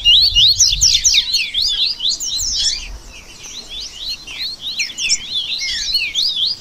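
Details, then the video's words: Several double-collared seedeaters twitter at once in a busy chorus used for song training: a dense, rapid jumble of high, sharp chirps and short slurred notes, with faint low rumbling underneath. "Baderna Top Para Manejo De Canto e Fibra"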